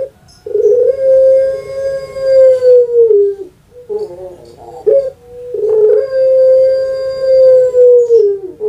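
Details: Puter pelung dove kept in captivity in Java, Indonesia, calling with its long voice: two extended, level, resonant hoots of about three seconds each, separated by short choppy notes.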